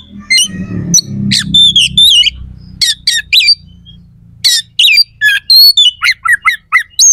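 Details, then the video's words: Oriental magpie-robin song, rough and sharp, meant to enrage rival males before a fight; scratchy chatter and whistles over low rumble, then quick varied chips and whistles. "PANCINGAN KACER AUTO CEPAT RESPON/KACER JADI EMOSI SIAP TARUNG"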